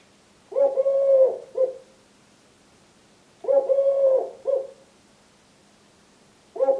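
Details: Three-year-old male Eurasian collared dove, wing-tapping while singing his "please lay eggs" song to his mate: deep hollow three-part coos, a long note then a shorter one, repeated about every three seconds over a faint low hum.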